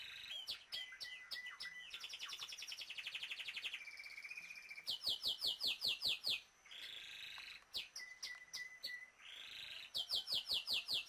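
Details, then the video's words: A pair of Violaceous euphonias foraging in Pernambuco, Brazil give rapid, bright, high twittering and buzzy chattering in quick repeated bursts, with sharp clicks between them. "CASAL DE GURIATÃ DE BANANEIRA"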